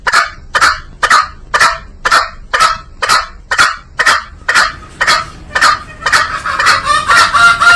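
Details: Green junglefowl delivering a long, regular string of loud, rasping clucks about twice a second, growing denser and more ringing toward the end.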